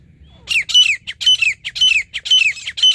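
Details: Grey francolin calls close by during a partridge hunt: after a brief quiet start, loud, shrill notes come in quick pairs and triplets, each a sharp burst ending in a downward slur, repeated steadily to the end.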